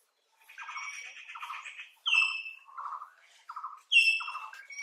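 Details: Common hill mynas at Nameri give a varied run of harsh, rasping chatter, gurgles and piercing falling whistles, the loudest whistles coming about every two seconds.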